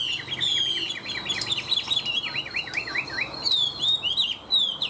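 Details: Continuous Chinese hwamei song of quick slurred whistles, bending down and up in rapid succession, then a few higher rising notes toward the close.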